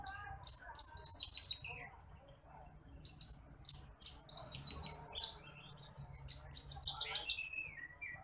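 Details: Bush lark (branjangan apung, titimplik) song for training other birds: repeated bursts of very high, rapid buzzy trills and sharp chips, each lasting about a second, with pauses between, ending in short falling whistles.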